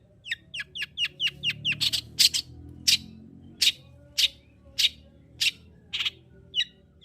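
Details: Long-tailed shrike lure for a reluctant singer: a fast run of sharp downward-sweeping chirps giving way to loud harsh rasping notes, about one per second, with a final sharp chirp.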